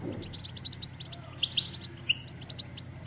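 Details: Female European goldfinch batbata meant to spur males into song and mating: faint, scattered high chirps with a few sharper notes, over a steady low electrical hum.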